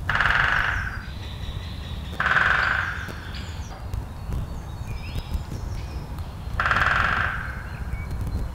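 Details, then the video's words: A woodpecker pecking on a tree drums three rapid, rattling rolls of about a second each, spaced a few seconds apart, with faint bird calls and a low rumble of wind behind. "Sound of woodpecker pecking on tree"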